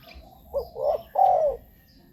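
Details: Spotted dove, a luring call for wild doves: a single three-note phrase, a short coo, a rising throaty coo and a strong, long, descending final croo, with little else audible.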